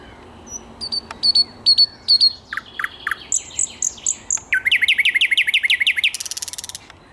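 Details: On 10 May 2021, a thrush nightingale sings a varied phrase: thin whistles and clicks, loud repeated chock notes, a fast run of rising notes, then a dry buzzing rattle, over a quiet background.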